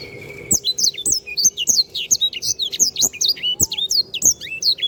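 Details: Canary singing energetically, recorded as a training song for other birds: a dense, fast run of high, sweeping chirps and whistles with short sharp notes at a quick, uneven rhythm, plus faint clicks and a soft background hum.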